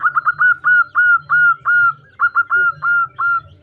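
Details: A local female zebra dove calls the male with a continuous chain of ringing coos, short quick notes building into longer drawn, slightly falling ones, then repeating the pattern.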